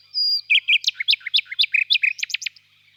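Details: Spring evening in a birch grove with a nightingale singing: a sustained high whistle opens, followed by a brisk string of loud, sharp, chopped notes repeated several times a second for two seconds.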